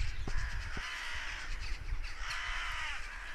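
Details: Two bursts of harsh, rasping crow caws, hoarse and urgent, over a steady low rumble of wind; the crows were apparently cawing at a goshawk that had been hunting.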